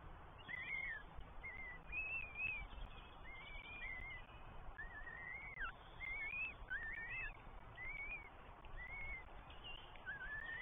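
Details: Northern goshawk chicks begging in the New Forest on 20 May 2023 as the mother, then the father, feed three nestlings at a nest camera. Thin whistled squeals, rising and falling, repeat every second or so over steady low rumble.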